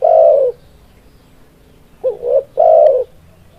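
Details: Spotted dove song with a long, low, smooth coo, a pause, then a short clipped note leading straight into another drawn-out mellow coo.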